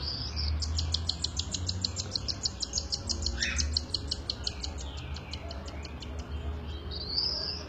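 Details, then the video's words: Cockatiel chicks being fed by their mother, giving a fast run of short high clicking begging notes, about three per second, steady over a low background hum, with a brief rising squeak midway. "Calopsita Fêmea dando comida para seus Filhotes"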